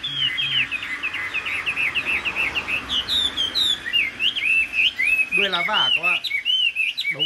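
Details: A rare caged Chinese hwamei with golden-yellow legs and beak, a 2019 top-10 Thanh Trì competition winner, sings a fast, continuous run of loud, varied whistled phrases, rising and falling, with a burst of rapid buzzy notes; a man speaks briefly underneath.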